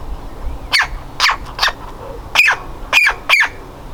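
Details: Nestling woodpecker struggling to get out of the nest hole: loud grating squawks come in two loose clusters, three then three, some doubled and slightly falling, with quiet low rumble between.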